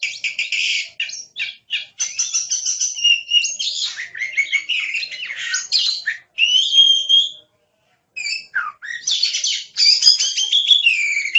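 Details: Oriental magpie-robin (kacer) in lively gacor song used as a masteran tutor recording: dense, varied phrases of sharp chirps, trills and whistled notes, packed together with a brief pause near eight seconds.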